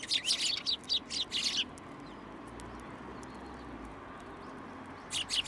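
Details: Sparrows flocking to a feeding post, Tenmangu shrine, 2 January 2023: a lively rush of overlapping high chirps for the first second and a half, a pause with faint low hum, then chirping resumes at the close.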